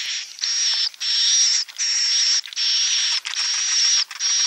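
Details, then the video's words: Edible-nest swiftlet roosting sound, klepek-klepek type, for luring swiftlets: nearly continuous harsh buzzy rasps with a thin whistle above, broken by brief dips about every 0.8 seconds. "Suara Inap Walet Klepek-Klepek"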